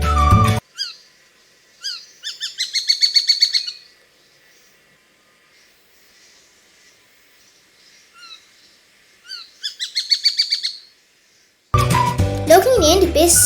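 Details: Besra (Besra sparrowhawk), a bird of dense forest in Sri Lanka, gives two bursts of rapid, high, sharp chattering notes, about eight quick repeats each, separated by a few thin single calls; music at start and end.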